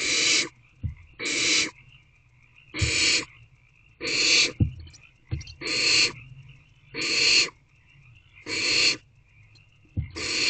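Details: Several barn owlet nestlings in a nest box at 10:26 pm in early March, shifting about. Eight harsh, airy hisses of about half a second each repeat roughly every 1.4 seconds, with dull knocks and scuffles in the gaps.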